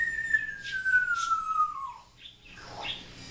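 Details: Pet African grey parrot at home, known for talking, barking and other noises: one long clear whistle that glides steadily downward for about two seconds, followed by soft breathy sounds.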